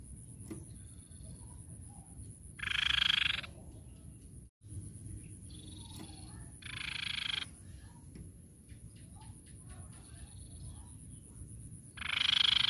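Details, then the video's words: Grey-cheeked tit-babbler song used as a lure for other birds: short, dense, rapidly pulsed bursts of under a second, three spaced several seconds apart, over a steady low rumble and a constant high hiss, with faint thin notes between. "Pancingan Tepus Pipi Perak"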